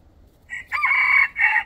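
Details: A white rooster in a village chicken coop crows: a short opening note, then a long strained middle syllable and a clipped final rise, harsh and mid-high in pitch.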